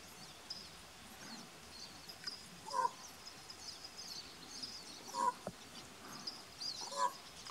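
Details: Common raven giving soft quork calls at Point Reyes National Seashore on 26 June: three short, hollow, low-pitched notes spaced about two seconds apart, over a faint background hiss and distant higher chatter.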